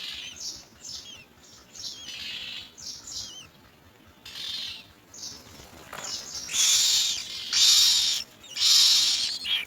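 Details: Common mynas searching for insects to feed their young: a few soft whistled, wavering notes at first, then loud, harsh, hissing bursts repeated about once a second toward the end.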